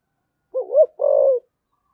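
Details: Low cooing of a 'thổ sấm' spotted dove in 'thúc gù' urging style: a single soft phrase, a wavering two-beat note and then a held, slightly falling coo, with nothing else audible.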